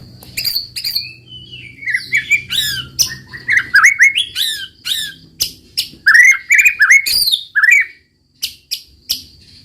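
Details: Roll tembak song of a white-rumped shama: varied loud whistled slurs mixed with sharp clicking and buzzy notes, delivered in quick irregular bursts for nearly ten seconds, ending with a few spaced calls.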